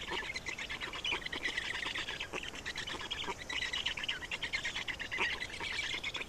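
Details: Black storks at a nest in Estonia during a feeding, 27 May 2019 at 10:39: dense, continuous harsh chattering and squeaky calls with rapid pulsed notes, steady throughout against a noisy background.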